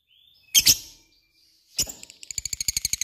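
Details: Lovebird giving two abrupt, shrill squeaks separated by silence, then starting a quick train of evenly spaced, bright ticking notes in the ngekek manner.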